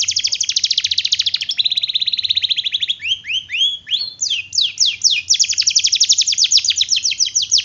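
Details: Gacor canary singing a long roll for training other canaries, with a dense, rapid high trill that shifts into a lower, faster rolling section and then into repeated sweeping notes.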